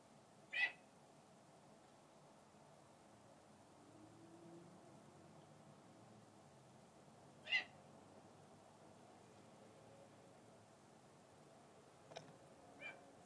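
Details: A male red-tailed hawk kept for falconry, bathing outside his mews and calling to a visiting hawk, gives two short, harsh, raspy calls about seven seconds apart, then two fainter, sharper notes near the end over a low, steady hiss.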